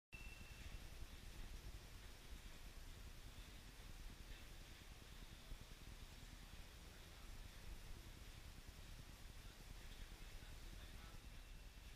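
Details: Steady low rumble and hiss like passing traffic or a fan, with no clear animal call.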